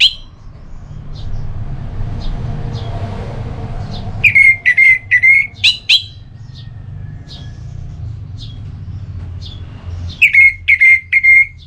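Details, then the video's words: Orange-headed thrush singing in the Ngeplong style, used to prompt another bird to sing, recorded in North Bali, Singaraja: bursts of sharp whistled notes with short clicks between, separated by quieter gaps over a steady low hum. "ANIS MERAH LOYO Bakal SONTAK NYAUT GACOR dan EMOSI dengar Kicauan Ngeplong ini"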